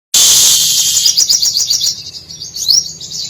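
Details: Brown-throated Sunbird, known locally as sogok ontong, singing actively with a song filled with mimicked canary, cililin, sparrow and lovebird phrases. A rapid run of high, thin chirps and twittering notes, with an intense high hiss at the start.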